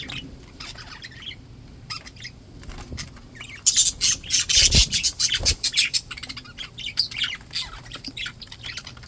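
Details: Happy, healthy budgies: softer twitters at first, then loud, rapid, scratchy chirping and squeaky warbles in a dense burst before easing off.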